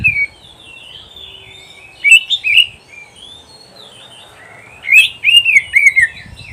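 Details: Kacer, or oriental magpie-robin, singing in a training recording for pet birds: after a quiet start, two bursts of rich, wavering whistles with quick slurred notes and bright high accents, separated by about two seconds of near silence.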